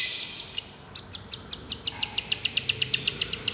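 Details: Long-tailed shrike 'miyik' therapy song: a few high ticks, a short gap, then a steady train of bright, clipped notes about five per second over a thin, sustained high hiss.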